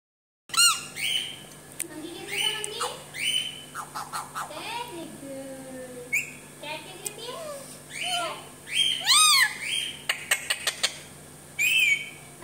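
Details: Pet parrot indoors in a small room, talking: harsh squawks mixed with speech-like phrases and rising and falling syllables, with sharp chirps and clicks between them and a steady low hum in the background.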